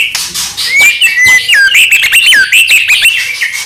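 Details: Provoking song of a white-rumped shama, used to stir other shamas into song: rich whistled phrases with quick upward and downward slurs, bouncing rhythmically over a harsher buzzy background.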